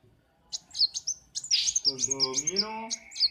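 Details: Morning workshop singing from a kolibri wulung sunbird kept by its owner: sharp high chips and tiny metallic twitters repeated rapidly, while a man speaks in the background.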